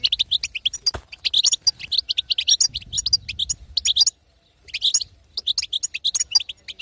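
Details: Female goldfinch calls intended to make a male sing; rapid bright twitter with a sharp click near one second, a silent gap around four seconds, then more chirping bursts.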